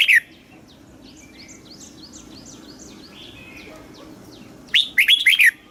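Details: Red-whiskered bulbul, Thailand, southern master-style song for exciting caged birds; a brief note at the start, a long stretch of faint distant chirping, then one loud warbled phrase of quick falling whistles near the end.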